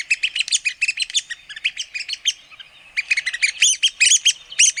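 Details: Red-cockaded woodpecker chattering almost continuously: dense, fast series of raspy, squeaky notes, a brief lull, then another excited burst of overlapping calls.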